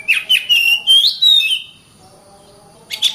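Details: Kacer (Oriental magpie-robin) in 'gacor rapat' song: about a second and a half of rich sliding whistles with scratchy edges, then silence, ending with a brief harsh note.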